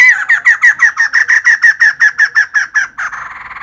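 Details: Female white-crested laughingthrush singing vigorously: a fast, even run of about sixteen loud, ringing, slightly downslurred notes, roughly three per second, ending in a brief rougher burst.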